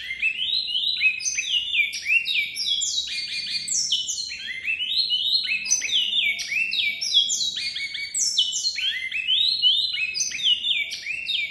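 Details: Great-billed seed finch (Sporophila maximiliani), caged bird from Brazil, song: a fast, unbroken run of clear whistled notes, many slurring sharply downward, repeated in looping phrases with no other sounds.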